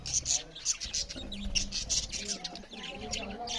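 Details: Budgerigars feed while chattering: bright, sharp chirps repeat over a steady high twitter, with low voice-like tones underneath.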